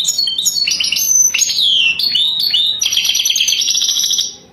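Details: A mating song of the European goldfinch in the 'wadani' style. Rapid chattering and tinkling notes with sweeping downward-curving whistles give way to a steady buzzy twitter that fades out at the close.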